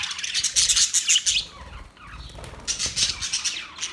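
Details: Australian parrots, October 10, 2023, with a loud run of shrill, rasping squawks, a quieter lull of faint chirps, then another harsh burst.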